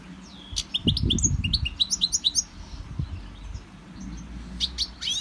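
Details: European goldfinch in a Victorian brass cage, in song training from a CD, gives a quick series of high chirping notes. Low thumping sounds run beneath, then a soft pause before a few sharp final notes.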